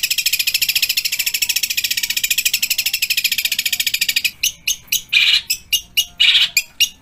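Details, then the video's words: ['Long-tailed shrike (cendet) song in a full-variation session with dense, fast, long rolls and mimicry of kuntilanak, tengkek buto and fighting sparrows. Here a rapid, even high trill of about four seconds breaks into harsh, buzzy, clipped bursts.'] "Cendet Full Tembakan Kuntilanak | Tengkek Buto | Gereja Tarung"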